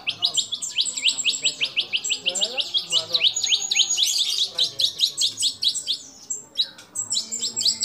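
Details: Murai batu, the white-rumped shama, in fill-in competition song: dense rapid chips and sweeping notes in a lively, continuous, chattering stream with bright high overtones.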